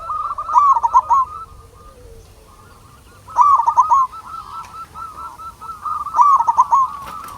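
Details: Local zebra dove song intended to trigger other doves to respond. Loud trilled, hooked coo phrases repeat about every three seconds, with fainter cooing from other doves in between.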